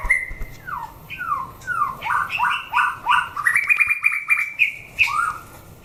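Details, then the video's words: White-rumped shama in a fighting test for competition birds, singing a run of loud descending whistles, each sliding down sharply, then steadier repeated whistled notes climbing in pitch, with a few thin high chips. "Chảo lửa test chim đấu (shama bird singing)"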